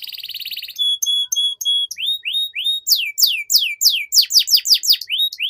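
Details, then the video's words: Long continuous canary song used as a master to prompt young canaries to start singing. A fast buzzy trill leads into evenly repeated pure whistled notes, then quick rising and falling sweeps in rapid succession. "PANCINGAN Kenari PAUD Agar Cepat Bunyi || MASTERAN Burung KENARI Gacor Panjang"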